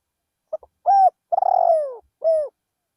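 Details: Spotted dove used as a decoy bird, calling in a rice field in Thailand: a short stutter, a level coo, a long rolling coo falling in pitch, then a final coo, all low and mellow.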